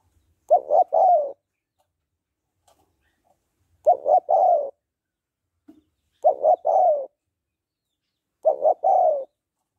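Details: Female spotted dove giving its call to excite a male: four regular three-note coos, about every 2.3 seconds, two quick throaty notes then a drawn-out falling coo, otherwise silent.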